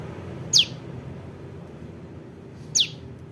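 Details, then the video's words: Juvenile prinia calls, recorded for use as a trapping lure: two sharp, high chirps that sweep steeply downward, spaced about two seconds apart, over a faint low hum. "SUARA PRENJAK LUMUT [ ANAKAN ] AMPUH UNTUK PIKAT"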